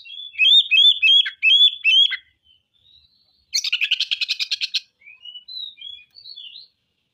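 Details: Oriental magpie-robin showing off its repertoire of learned phrases. Loud whistled phrases with sharp upward flicks repeat about six times, then a dense, fast, pulsed chatter, then soft, scattered whistled notes. No other sounds.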